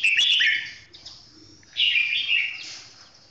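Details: Slow, clear song from a red-whiskered bulbul, two loud bubbly warbled phrases, one at the start and one after a short pause, fading out at the end.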